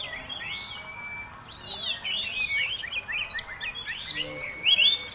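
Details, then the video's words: Oriental magpie-robin fighting song used to goad other birds: a quiet drawn-out whistle, then a lively run of looping, upslurred whistles and chips growing louder toward the end. "Kacer Tarung Ngobra Ngotot Gayanya Eksotik Bikin Ngiler || Pancingan Mewah!!!"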